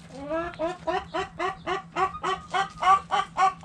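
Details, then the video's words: Hens clucking in a backyard coop with roosters: a rhythmic series of short nasal harmonic clucks, about three or four per second, steady and even in loudness throughout. "Backyard Chickens Relaxing Video In The Chicken Coop! Sounds Noises Hens Clucking Roosters Crowing!"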